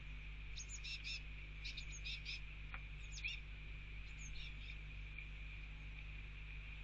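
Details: Blue tit fledglings following the male parent and begging to be fed at a bird feeder with mealworms in the rain; brief high squeaky notes in bursts of two or three, steady rain noise beneath.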